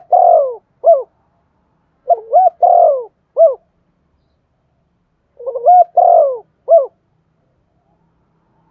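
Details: Spotted dove coo used to stimulate another bird to sing: three phrases of quick stuttering notes, a long mellow coo and a short upturned closing note, separated by pauses of about two seconds.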